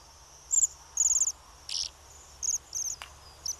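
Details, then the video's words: Bohemian waxwing calls: a series of high, sibilant, buzzy trills repeated at short irregular intervals, some longer and some clipped, with a harsher rasping note and a sharp click in between. "Chochláč severský - bombycilla garrulus"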